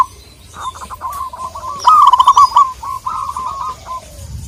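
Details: Local Indonesian zebra dove calling a rival: a quick, bubbling series of cooing notes that grows louder midway, then trails off, with a few high chirps and clicks around it.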